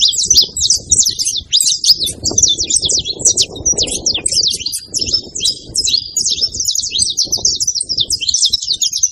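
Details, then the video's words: Long, busy saffron finch song of quick high chirps and buzzy trills running without break, with a murmur of low background noise, possibly distant voices, in the middle. "canário da terra fazendo barulho"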